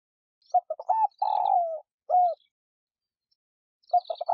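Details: Spotted dove giving a lure call for pet doves. A complete phrase of staccato short coos, a drawn-out husky coo that falls away, and a separate short falling note. A new phrase begins at the end.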